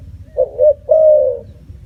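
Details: Single spotted dove phrase: two quick low coos run together, then one long, smooth, level note that fades out, over a soft background murmur.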